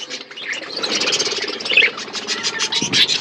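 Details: Budgerigars eating food in an outdoor aviary, with a busy chatter of overlapping high chirps and short warbled notes and a faint rustling underneath.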